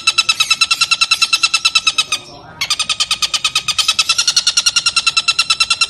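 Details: A long-tailed shrike tutor recording for training other birds: a fast, harsh, high chattering run of about six notes per second, with one brief pause midway.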